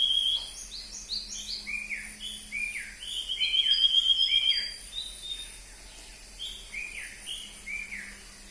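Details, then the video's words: Morning birdsong: repeated buzzy rising and falling whistled notes, several birds overlapping in quick series, a thin high steady tone and a low hum in the background. "Sound of Birds in the Morning"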